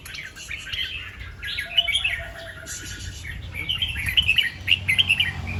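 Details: Morning recording of a red-whiskered bulbul singing doubled 2-3 and 'rik': soft chattering notes build into clearer, rapid, slightly rising whistled chirps toward the end, with faint rustling and background murmur.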